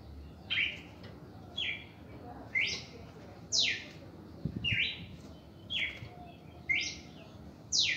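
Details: Red-crested cardinal singing its first reaction song, a steady series of ringing whistled phrases roughly one per second, mixing steady tones with quick downward slurs; a brief low thump midway.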